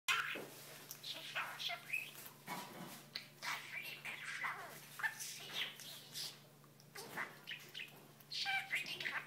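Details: An 8.5-month-old male budgerigar chatters nonstop, mixing scratchy warbles, clicks and squeaky bursts mimicking French phrases from a repertoire of over twenty, such as asking for scratches.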